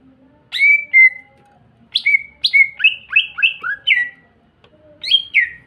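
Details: Greater green leafbird song used as a lure to make other green leafbirds sing: loud, varied whistled phrases, notes sliding up then down, a fast sequence of about seven bright chirps, then a final pair of slurred whistles.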